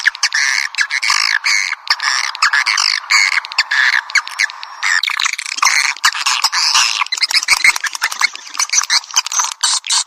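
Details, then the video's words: Swiftlets on a piezo calling-sound track: busy, overlapping high chirps and buzzy trills in rapid bursts, with short clipped notes and swooping squeaks filling the whole stretch. "Suara Panggil Walet"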